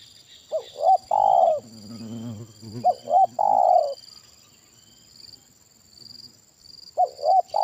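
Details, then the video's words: During decoy trapping, a Spotted dove with a big 'kuk satu' voice gives two loud coo phrases, two brief notes and a long sagging coo each, with low rumbling murmurs between and a third phrase beginning; faint high whine behind. "Permainan Tekukur Suara Besar Kuk Satu"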